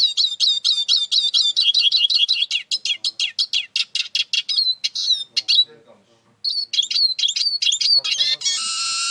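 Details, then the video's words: Eurasian siskin in full song: rapid high twittering, a short pause, more sliding notes, then a harsh drawn-out buzzy wheeze at the end. "İskete kuşu ötüşü"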